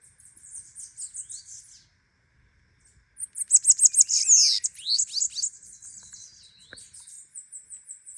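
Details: Bananaquit singing a lot: loud, very high, thin, buzzy twitter of rapid notes, about three per second. It pauses briefly, then bursts into a dense hissing jumble of notes and settles into a steady high trill.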